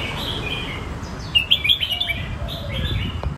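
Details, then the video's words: Red-whiskered bulbul singing in the song styles called Phet and Prachathipat; a quick phrase of bright, bubbling, warbled whistles midway, over steady low background rumble. "นกกรงหัวจุก เพลงเพชร เพลงประชาธิปปัตย์"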